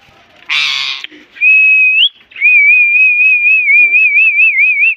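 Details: Pet green parrot, known locally as a Mithu parrot, presented as a talking bird: a short harsh burst, then a clear level whistle and a long sustained whistle that breaks into a quick wavering trill near the end.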